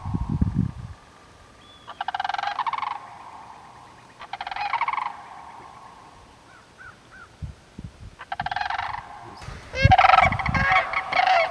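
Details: Sandhill Cranes, on April 25, 2024, early morning at 25° in Sax-Zim Bog, northern Minnesota, call loudly in alert as another pair flies in: rolling, rattling bugles in bursts of about a second, overlapping at the end, over low wind.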